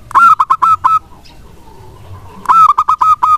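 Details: Lure song of a local wild zebra dove, meant to prompt lazy doves to respond and sing. Two bursts of loud, rapid, ringing coos are split by a brief quiet stretch with a faint lower murmur.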